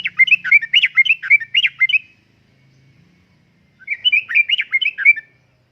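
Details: Yellow-vented bulbul in lure and master song, 'uplik-uplik' style: two brisk phrases of bubbly, warbled notes about two seconds apart, with a faint low hum underneath.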